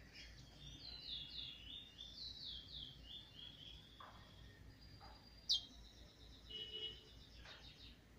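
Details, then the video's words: Trinidad bullfinch, a young brown bird just beginning to voice its song, 7 November 2019: a rapid string of high, sweeping downslurred notes repeated in short bursts, followed by a sharp click and thin whistled tones amid low hiss. "Trini bullfinch Brown bird now start voicing"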